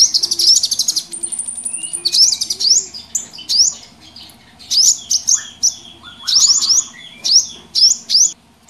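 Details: Small wild birds in a noisy mixed lure chorus for trapping, sharp rising high chirps in bursts separated by short pauses, with a few lower chattering notes between them.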